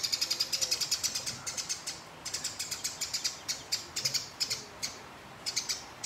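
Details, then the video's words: Fighting house sparrow with an extended rolling chatter: a nearly continuous string of sharp, rattling clicks in evenly spaced pulses, briefly broken by small gaps, loud and close. "Burung Gereja Tarung Ngeroll Konslet Nyerecet Panjang Abis Memancing Lawan Agar Gacor"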